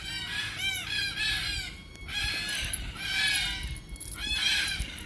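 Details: Red-tailed black cockatoo, Australia, feasting on seeds of the Beach Almond tree. It calls in drawn-out, raspy, harmonic phrases, about four bursts with brief pauses between, loud and close over faint low background noise.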